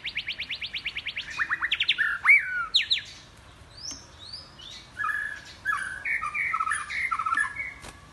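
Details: White-rumped shama in loud, varied forest-style song that keeps changing voice: rapid rattling trills, sharp slurred whistles, then a string of clear, varied phrases of fluty and chirping notes with short pauses between.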